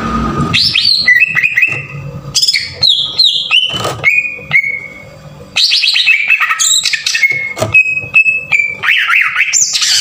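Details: Harsh-style 'tembakan kasar' song of a green leafbird, played to stir other leafbirds into song: a jumble of slurred whistles, chattering bursts and steady high notes, with a short drop in loudness around five seconds before vigorous phrases return.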